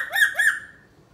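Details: Pet black-capped lory indoors, imitating a dog's barking to talk to its toy dog: two quick, harsh, harmonic bark-like notes in rapid succession, then fading to quiet room tone.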